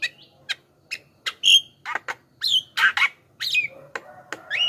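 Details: Javan myna singing in a varied lure recording meant to draw wild mynas and young birds closer: spaced sharp clicks and chirps, harsh squawking bursts, and a clear rising whistle near the end.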